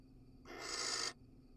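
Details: Barn owl in a nest box in Israel, filmed live while a male casts a pellet; a single harsh, breathy hiss about half a second long, broadband and loudest at the top, over a faint steady background hum.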